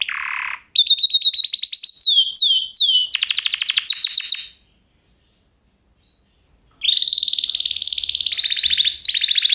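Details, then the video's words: Canary song in varied tours: a short buzzy burst, rapid clicking trills, repeated downslurred whistles, then a rattled phrase, a two-second pause, and a long fast trill that continues after it. "Kanarya sesi | Kanarya ötüşü | Canary Sound"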